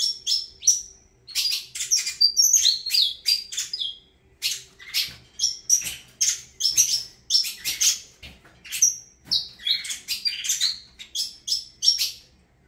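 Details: Long saffron finch song: rapid strings of sharp chirps mixed with short whistled and slurred notes, steady bursts continuing for over twelve seconds with little pause.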